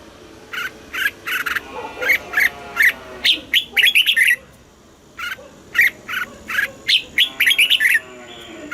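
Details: Southern master-style singing by a caged red-whiskered bulbul from Thailand, used to excite birds and teach young birds: steady strings of crisp whistled notes, building into fast multi-note runs, with one brief pause midway.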